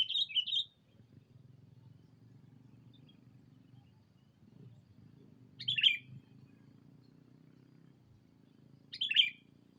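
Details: Lure call of a sooty-headed bulbul used to call a rival: three brief chirpy bursts a few seconds apart, separated by quiet with a faint low rumble.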